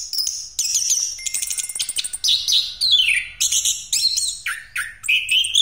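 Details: Orange-headed thrush in rolling 'ngeroll' song, a lure recording for other birds: a varied stream of high whistles, buzzy trills, downward-sliding notes and short chatters in quick succession.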